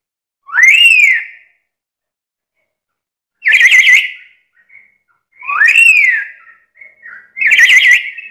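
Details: Very chatty black-capped lory, a bird said to be able to talk: four loud notes, arched whistles alternating with buzzy, rapidly trilled bursts roughly every two seconds, with short faint chirps between them in a quiet room.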